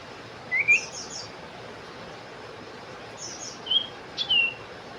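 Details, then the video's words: Sooty-headed bulbul giving short whistled notes, a brief rising chirp then a pair of slurred phrases a few seconds later, over a steady faint background hiss. "sirpu cipow , cipoh , belajar bunyi"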